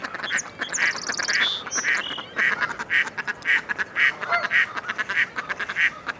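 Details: Mallard quacks repeating about twice a second. In the opening seconds a small bird adds high, quick trilled chirps above the ducks.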